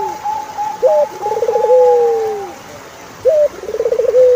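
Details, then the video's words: Turtle dove song: low rolling purr-like trills in two phrases, each opening with a short rising note, over a steady higher drawn-out whistle. "Sound of Turtlefove"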